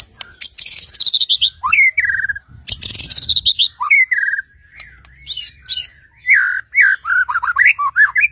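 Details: White-rumped shama song aimed at provoking other shamas to sing: high buzzy trills ending in rising whistles and low slurs, then a varied rapid sequence of warbled, looping whistled notes.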